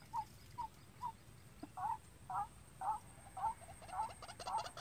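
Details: Captive decoy White-breasted Waterhen, being trained to call on its own for use in trapping, gives short mid-pitched kwak notes about twice a second, some sounding doubled, over steady low background noise.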